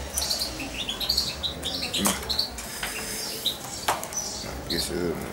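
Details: Young European goldfinch, almost two months old, hand-fed by syringe as a chick and kept close to its owner; high thin chirps and short twittering notes come in scattered bursts, with soft background rustling.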